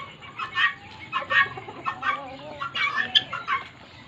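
Guineafowl give harsh, grating clucks in irregular bursts, several birds calling together.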